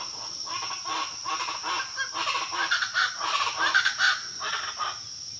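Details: Pava guacharaca (chachalaca) calling: harsh, raucous, rhythmic bursts of loud clattering notes, about two per second, swelling to a peak midway then fading, over a steady high insect whine.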